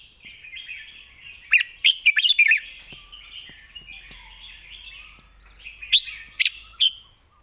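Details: Wild-style song of a red-whiskered bulbul, long-phrased and soft-voiced: a rapid cluster of bright warbling notes near 2 seconds, quieter twittering, then three sharp chirps toward the end.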